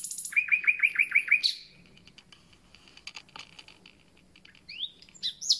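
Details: Common nightingale, just arrived, with a series of about seven sharp, downward-swept notes repeated quickly, then a pause with faint background chirping before new rising whistled notes.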